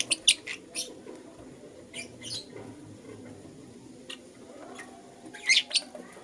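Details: In the morning a lutino lovebird gives short, piercing chirps in quick bursts, a cluster at the start and another pair near the end, above a soft, continuous bed of lower chatter.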